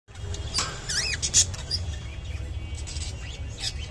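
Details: Lutino budgerigar giving its mating call: quick high chirps and looping warbled notes, with a low steady hum underneath.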